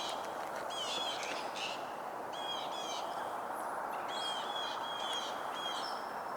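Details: A Gray Catbird vocalizes in an evening in June, giving scattered squeaky, slurred phrases in short bursts over a steady hiss of wind or distant traffic.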